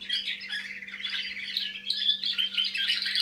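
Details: Young canary just starting to sing, a continuous scratchy warbling mix of buzzy trills and thin chirps held in a high register for over three seconds, with a steady low electrical hum beneath.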